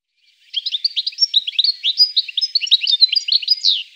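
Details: European goldfinch (jilguero) singing around Tablas de Daimiel and Villarrubia in the Llanura Manchega: a fast, continuous twittering of bright, tinkling notes and short slurred chirps, high pitched and without pause, starting after a half-second of silence.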